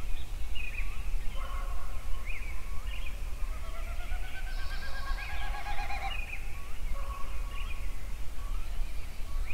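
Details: Yellowstone songbirds at sunrise: a mix of short chirps and a rapid string of rising notes builds to a loud burst near the middle, other birds whistling around it, low rumbling background throughout.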